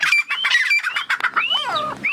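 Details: Several captive Irani (Dakhni) partridges in Sindh, trained as callers and kept apart so they will not fight, give loud, nasal, overlapping calls that rise and fall in quick sweeps, with a man talking over the first half.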